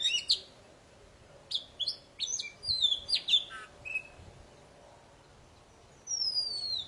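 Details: Poci bird song, played to stir quiet birds into singing: a brief series of clipped, high whistled notes and short slurs, a pause, then one long, smoothly falling whistle.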